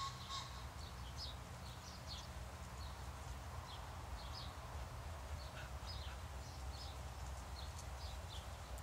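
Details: Several house sparrows chirping while feeding: quick, high, slightly downslurred notes repeated in loose overlapping bursts throughout, against a constant low-pitched hum.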